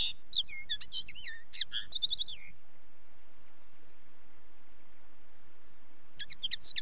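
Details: A common linnet sings a fast, high phrase of bouncing twitters and looping, wavering notes. It stops for several seconds, then resumes with a brief twittering burst.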